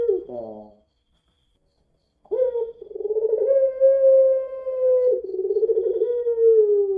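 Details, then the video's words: Puter pelung dove, a Barbary dove bred for long voice: a fading rough note, a silent gap, then a long coo starting in a throb, holding level and wavering at the end. "PUTER PELUNG NANGIS SAMPAI BATUK | PANCINGAN PUTER PELUNG"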